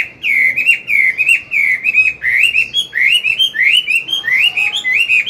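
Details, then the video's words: Chinese hwamei morning song from a mature wild-caught bird used for training a youngster; continuous rolling whistled phrases, each note slurring down then up, delivered steadily without pause. "Luyện giọng họa mi hót sáng, kích bổi mau căng lửa."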